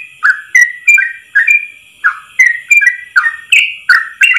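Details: Rapid 'ropel' song of a yellow-vented bulbul, sung as one long breath for teaching other bulbuls: a dozen fluty whistled notes, about three per second, each sliding downward, with a faint constant hum beneath.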